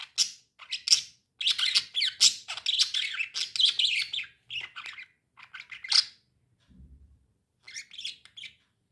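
Lovebirds chirping in quick, high, scratchy bursts that overlap and tumble over one another.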